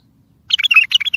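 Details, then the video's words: Strong bulbul song intended for trapping other bulbuls and calling distant ones: an abrupt start into loud, rich slurred chirps and a short whistled note, packed closely together. "اصوات بلابل تغريد بلبل قوي ينطق الاخرس كذلك للصيد البلابل الاخرى يجيب البلابل البعيده"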